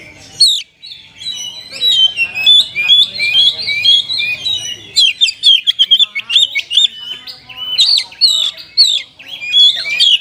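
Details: Oriental magpie-robin (kacer) singing an isian song in the kapas tembak style: rapid high whistled and chattering notes, sharp upslurs and trills, in a continuous dense stream broken by a brief pause near five seconds.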